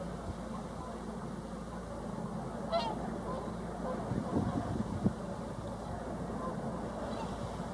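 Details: Whooper swans (Cygnus cygnus) give faint, bugling honks scattered through the clip, partly masked by a steady background hum and low rumble.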